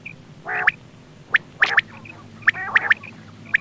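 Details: Quail calling used as a hunting decoy: an opening gritty rasp, then sharp high clicks in irregular groups with soft scratchy notes between them.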